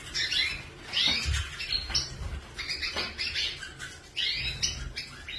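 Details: Several quick, high, warbling chirps from canary birds, some notes sliding upward, arriving in dense bursts with brief gaps. Light fluttering and low knocking sounds are audible beneath.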